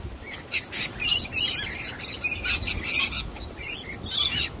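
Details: Harsh chattering squawks from a young wild sulphur-crested cockatoo, scattered in short rasping bursts, one louder note near the end, as it ignores a hidden-nut trick outdoors.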